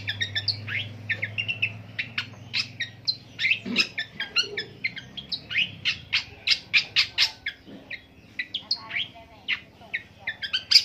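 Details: Imitating many different birds, a long-tailed shrike delivers a long rolling song: a dense, unbroken run of high, scratchy, varied notes, chattered rapidly for more than ten seconds, with a low hum at the start.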